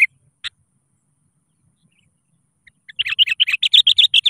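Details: Sooty-headed bulbul (kutilang) calling rivals, a lure recording to get quiet birds singing: two isolated sharp notes, a pause, then a rapid run of bright, bubbling notes repeated about four per second.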